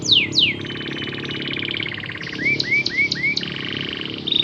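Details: Canary singing, used to stimulate other canaries to sing: sweeping downward whistles, then long rapid buzzy trills between two and four thousand cycles, a row of four short rising chirps, and another steady trill.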